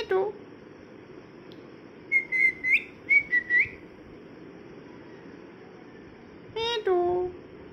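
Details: Pet parrot, molting and missing feathers, kept indoors, gives a few whistled rising-falling notes around the two-second mark, a short series of clipped whistles, then a harsher squawk-like call near the end against a steady low hum.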